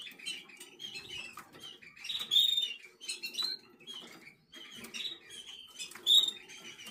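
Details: Eleven-day-old black red mosaic jaspe canary nestlings making short high squeaky cheeps in bursts roughly every second or two, interspersed with scratchy rustling and brief louder peeps.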